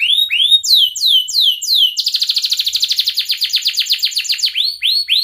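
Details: Canary song used as a tutor for young canaries learning to sing: rising whistled upslurs, then a fast steady trill of short notes, then more rising whistled phrases, all high-pitched and clear.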